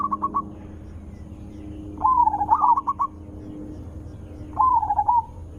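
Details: Loud, melodious zebra dove song used as a lure to draw replies from other zebra doves: stuttered clipped notes run into wavering trilled phrases, repeated three times with pauses, against low continuous hum.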